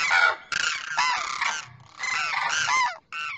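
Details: Demoiselle crane pair, the male calling to the female: rough, nasal honks in clusters, a lower softer stretch in the middle, then another loud rasping series and a brief last note.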